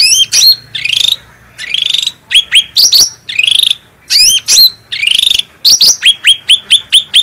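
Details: Black-headed bulbul in full song, clear and strong, used as master training material: slurred rising phrases alternate with bursts of sharp upswept chirps, ending in a fast chirp series; faint low hum beneath.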